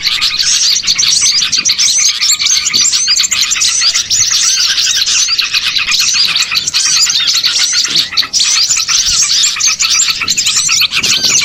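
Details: Small birds in a lure recording for catching birds, a long unbroken din of many high chirps, trills and squeaky twitters layered together, barely easing anywhere.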